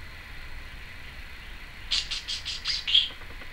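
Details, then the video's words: Female pet Timneh African grey parrot, filmed in 2012, makes a quick series of about six soft, evenly spaced chirping notes, ending in a thin whistle. "Timneh African Grey Parrot...various noises"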